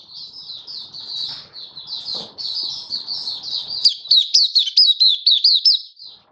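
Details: Malaysian white-eye, a hobby bird in Singapore on a stable, warm, sunny 20 March 2023, in happy song: a steady high twittering warble building into louder, sharply rising and falling chirps repeated rapidly toward the end.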